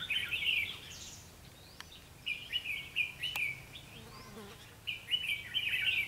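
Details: Decoy red-whiskered bulbul at a trapping site, 21 October 2016, giving fighting song: clipped, chirpy warbled phrases in three main bursts separated by pauses, with a couple of sharp clicks in between.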